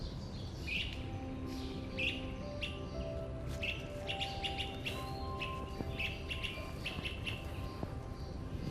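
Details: An Ovenbird in New York's Central Park sings its "chiti chiti chiti" song, a series of sharp, repeated high chirps, about one every second. A steady low hum and faint music-like tones sit underneath.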